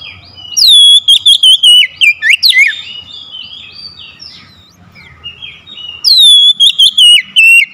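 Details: Oriental magpie-robin lure song to draw a lazy bird into full voice: loud whistled downslurs in rapid choppy bursts, a soft scratchy warbling middle passage, then another loud whistled run.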